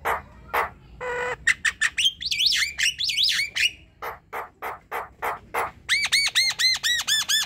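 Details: Javan myna in full song, played as a night-time lure for reluctant birds: rapid harsh squawks and clicks, a nasal buzz, zigzag whistles, then a fast run of repeated ringing arched notes.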